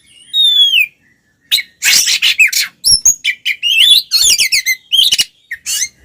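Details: Oriental magpie-robin singing aggressively to provoke other males: opening clear descending whistles, then dense harsh chattering, buzzy trills and quick varied whistled notes in rapid succession.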